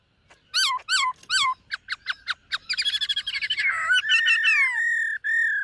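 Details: White-cheeked laughingthrush singing in the morning to train its voice: sharp repeated downslurred notes, then a rapid chattering burst blending into sustained warbled whistles, clean and loud.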